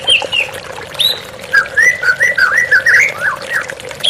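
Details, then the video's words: White-rumped shama in a therapy recording with flowing water: a few high opening notes, then a rich warbled phrase of linked rising and falling whistles running without a break to the end. "TERAPI MURAI BATU Stres Macet Langsung pulih _ Terapi Murai Dengan Suara Air Mengalir"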